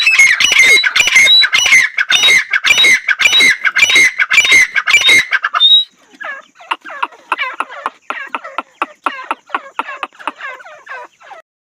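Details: Female painted francolin: five seconds of loud, dense, grating calls, then a single high whistle. A softer run of quick, evenly repeated scratchy notes follows and fades out.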